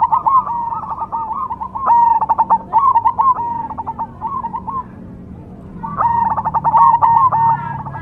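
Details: Cemani zebra dove song of staccato, stuttering coos ending in drawn-out purring notes, delivered in bursts separated by a quieter gap of about a second.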